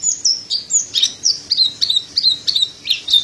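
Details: Singing mountain white-eye, the pleci montanus used as a tutor for cage birds: a series of sharp, high, downward-slurred chips, about three per second, over a faint steady background hum.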